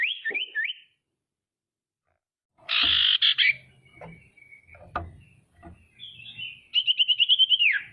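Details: Female common iora calling to stir rivals: a short wavering whistle, a harsh buzzy burst with clicks after a pause, then a fast rattling trill that slides downward at the end.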